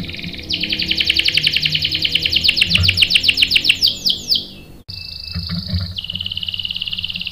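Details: Canary, a male stirred to sing by a female; a loud, fast rolling trill with sweeping notes lasts several seconds, then after a cut a softer, higher trill continues over low background noise.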